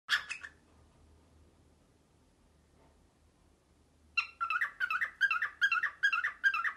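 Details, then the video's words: Pet male cockatiel indoors early in the morning, imitating a printer: after a brief opening burst and a long silence, a rapid train of harsh, rhythmic, mechanical-sounding pulses repeats about twice per second. "Mango is a Printer!"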